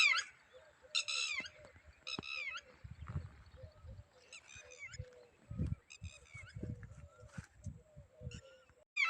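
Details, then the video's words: Red-wattled lapwing, shown with its eggs, giving scattered harsh ringing call bursts at moderate distance over a steady soft piping note, with rustling and thumping noises close by. "bird sound Red wattled"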